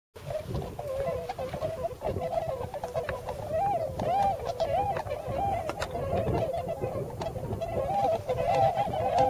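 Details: Wintering tundra swans in a flock of several hundred in rice fields of the Nogi Plain, Yasugi, Shimane, Japan, giving their distinctive high-pitched calls: continuous overlapping nasal honks and wavering notes, about one hundred per minute, with background rumble.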